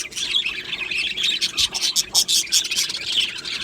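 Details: Budgerigars in an aviary colony keep up a dense, overlapping chatter of sharp chirps and scratchy warbles, with loud bursts around the two-second mark and no other sounds.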